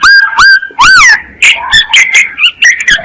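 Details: Myna lure call: loud harmonic notes that swoop up and down, mixed with harsh broadband bursts and chattering notes in quick succession.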